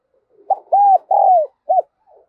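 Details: Decoy spotted dove in đồng son voice, calling to bring in wild doves. One four-part coo: short stuttered note, long level coo, long falling coo, short end note, then a faint soft murmur.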